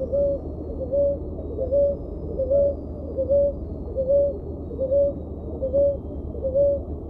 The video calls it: Canto Da Rolinha Roxa ( Columbina talpacoti ) Ruddy Ground Dove